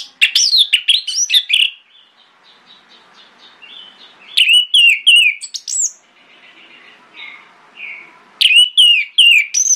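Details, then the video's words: Orange-headed thrush in morning song used to provoke other thrushes into answering: three bursts of loud, varied, rapid whistled phrases separated by quiet gaps with soft distant bird notes. "PANCINGAN ANIS MERAH PAGI HARI|| ANIS MERAH LAIN AUTO NYAUT"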